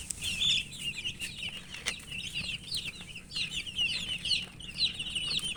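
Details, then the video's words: Chicken chicks chirping as they feed; dense high peeps from several chicks overlapping continuously, with occasional sharp taps of pecking. "Murgi chicks Chirping sounds and eating"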